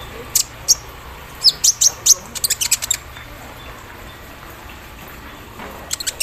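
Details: Javan sunbird during morning dew exposure, singing its embroidery-machine mimicry: a few high chips, then a quick rattling burst of shrill ticks, a pause of quiet, and renewed chips at the end.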